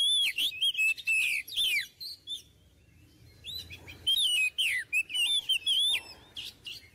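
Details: An Oriental magpie-robin (Copsychus saularis) sings a rich, varied run of sweet whistles and fast chattering phrases, rising and falling, with brief pauses between bursts.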